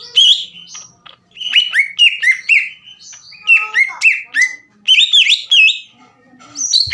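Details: Green leafbird in rival-provoking song: a lively mix of slurred whistles, sharp chips and trilled phrases, rising and falling, with brief lulls between loud bursts.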